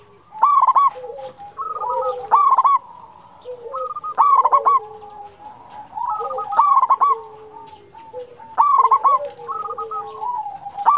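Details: Zebra dove (local perkutut) in full song, meant for luring and for stimulating quiet or stressed doves: stuttered coo phrases repeated roughly every two seconds, each trailing into longer, lower notes.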